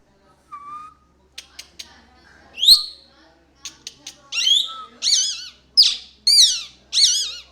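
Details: Tame two-year-old male plum-headed parakeet kept as a pet, speaking words in Urdu or Hindi and whistling: a soft low note, then sharp clicks, then a run of loud, wavering, warbled whistles and chattering phrases.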